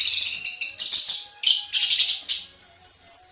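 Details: Orange-headed thrush, gacor teler style training song for cage birds: loud, harsh, pulsing warble phrases repeated rapidly, ending on a sustained high rising whistle.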